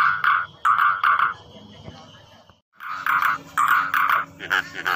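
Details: Nias hill myna giving loud, harsh, nasal calls in short bursts, several in quick succession, then a pause and another run of clipped notes.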